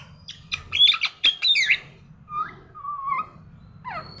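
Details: A parrot in the morning giving a burst of sharp, clicky chirps followed by a few drawn-out whistled notes and a falling squeal, with a faint low hum underneath.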